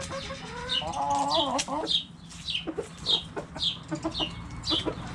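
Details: Backyard chickens: a wavering cluck at first, then a run of high descending peeps repeated about twice a second over low hum.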